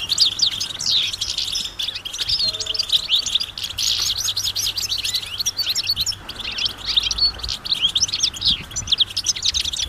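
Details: Outdoor chorus of European goldfinches, a flock uttering mating and readiness calls to stimulate males to sing; crowded, bright chattering twitters rise and fall continuously, many voices overlapping, with a brief quieter dip midway and faint background hum.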